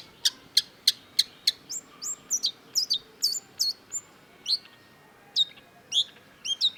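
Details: Cendet (long-tailed shrike) in vigorous song: a rapid, evenly spaced series of dry clicks, then high whistled slurred notes and chirps of changing shape.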